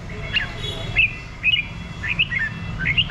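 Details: Red-whiskered bulbul with a run of short, sweet chirped notes spaced roughly half a second apart, moderately loud over a soft low hum.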